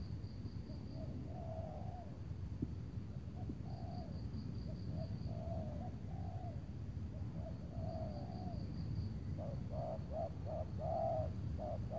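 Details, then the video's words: Spotted doves at a lure site in Tangerang on a cloudy afternoon, decoy bird calling a large loud target. Spaced low coos, then a fast string of short stuttered notes near the end, with insect pulses above. "memikat tekukur tapau sibongsor suara besar angguk rapat"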